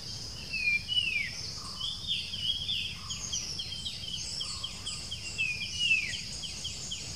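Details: Puff-throated babbler (Pellorneum ruficeps), outskirts of Bangalore, India, 07-06-2020, filmed on a Nikon Coolpix B700. Falling whistles open and close the passage, with a fast run of short repeated downslurred notes in between and steady cricket drone throughout.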